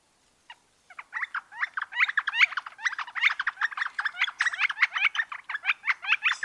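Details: Wisconsin Northern flicker giving a quickening jumble of harsh, uneven chattering notes after a few isolated opening notes, building into a dense, irregular run.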